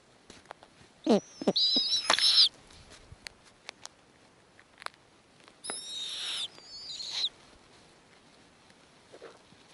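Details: Female snowy owl on the nest with young, greeting a male arriving with prey before feeding the offspring: harsh, hissing screeches in short bursts under a second, two pairs a few seconds apart, with quiet clicks and rustles between.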